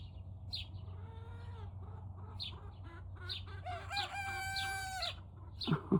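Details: Turken chicken, just learning to crow, at about 5 am. It gives a rough, wobbly crow of stacked harmonic tones that swells for over a second, after soft low notes and scattered high chirps.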